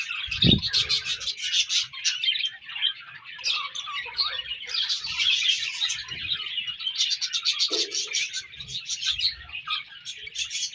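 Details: Budgerigars during breeding season twitter and chirp in a dense overlapping chorus, rapid clicking bursts and warbles, with a loud low thump near the start.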